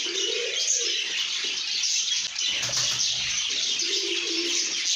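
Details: Happy lovebirds chattering nonstop, a thick layer of sharp high-pitched chirps and tweets, with short low cooing notes at the start and end and a brief dip in the middle.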